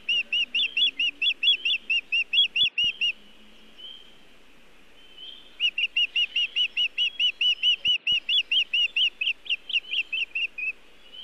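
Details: Osprey calling at its Montana nest, 1 June 2017 around 18:14, as the male delivers nest material without fish: steady runs of shrill, whistled chirps, slightly uneven in pitch, broken by a short gap and a couple of clicks.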